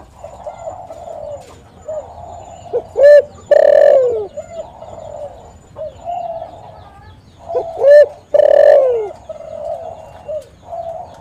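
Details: Spotted dove calling eagerly, a recording used as a lure to draw and trap other doves: soft throaty notes build into two loud, ringing coo phrases about five seconds apart, each ending in a falling drawn-out note.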